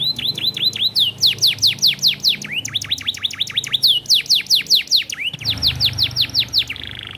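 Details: Competition canary delivering long isian-style song: lively, continuous series of loud plunging whistles in quick regular phrases, shifting pitch between phrases and ending in a short high buzzy trill.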